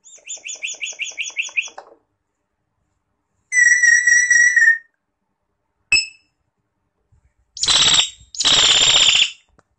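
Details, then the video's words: Common hill myna, Gracula religiosa, in full song. A rapid run of rhythmic pulsed notes gives way to a sustained warbling whistle, one short ringing note, and two long, loud, rasping screeches. "O Canto do MAINÁ DA MONTANHA (Gracula Religiosa) Bird Song - Hill Myna"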